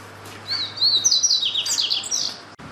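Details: Double-collared seedeater song: a brief high run of thin whistled and slurred notes, rising and sliding over about two seconds, then a sharp click and quiet background.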